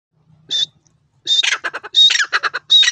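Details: Grey francolin, called teetar and described as the Iranian pheasant, from Iran: harsh squawking notes with thin high whistled tones, in bursts after a short opening note and a pause.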